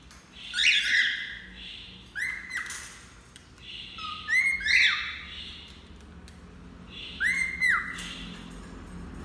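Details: Tame male cockatiel being petted; loud whistled chirps, some rising and some flat-topped with sharp onsets, in four bursts about two seconds apart, over a low indoor room hum.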